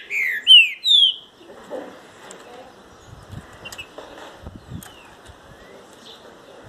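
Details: Green-winged saltator opening with a loud, clear whistled phrase of slurred notes lasting about a second, followed by low clicks, knocks and quiet background noise.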